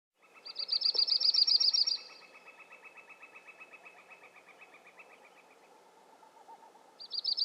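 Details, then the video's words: A Yellow-rumped Warbler gives a quick, bright, high trill lasting under two seconds, starting again at the end, with softer, lower trills from other birds underneath. "Yellow-rumped Warbler - Bird Sounds"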